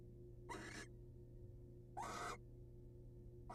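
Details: Wild male barn owl presenting his catch to a waiting female, heard as two harsh, breathy hissing bursts, each about a third of a second long and spaced roughly one and a half seconds apart, over a steady low hum.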